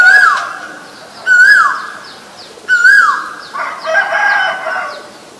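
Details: Asian koel calling loudly: three strong whistled notes that climb and then slide down, repeated roughly every one and a half seconds, followed by a burst of harsher, rougher calls and faint higher bird chirps.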